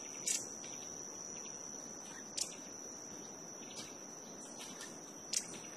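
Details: Violet-headed hummingbird (Klais guimeti) feeding and calling at Altos de Cerro Azul, Panama: sharp, high chip notes spaced one to two seconds apart over a steady high insect whine.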